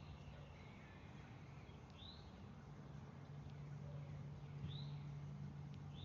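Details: Northern cardinal at feeders by woods and a creek in the North Georgia Mountains foothills, northwest of Atlanta; faint clear whistles sliding downward, about every second and a half, over a steady low hum.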